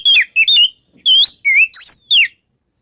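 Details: Oriental magpie-robin in the morning, ngeplong-style song meant to coax silent magpie-robins into singing; six loud, clear, slurred whistled notes, some rising, some falling.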